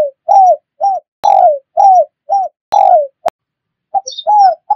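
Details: Wild-bird lure of spotted dove calls: regularly paced, rounded coos, some short and some longer and downslurred, broken by sharp clicks, with a brief high chirp from another bird near the end.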